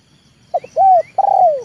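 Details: Trained leopard spotted dove luring wild birds down to the yard: one complete coo phrase of two quick short notes, a long arched note, a brief stutter and a long falling final note, clear and close.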